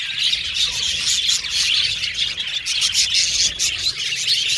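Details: An aviary colony of budgies keeps up an unbroken chorus of shrill chirps and chattering warbles, many birds overlapping into a steady, bright twitter.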